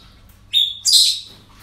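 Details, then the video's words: Parrots at a breeding centre: a brief, thin whistled note, then a harsh, raspy screech lasting about half a second, against a quiet background. "Relajación Loros En El Centro De Cría"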